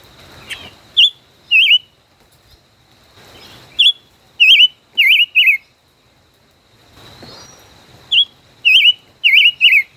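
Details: Five-colored bird, a caged decoy bird kept over a year, in a song duel: bursts of short, clear, looping whistled notes, each slurred up and down, given in quick runs of three or four with silent gaps between.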